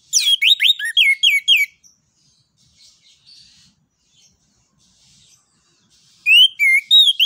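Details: Orange-headed thrush delivering forceful 'ngeplong nembak' song to stimulate other birds: a dense two-second flurry of rapid, looping high whistles, a long quiet gap, then another run of bright, bouncing notes.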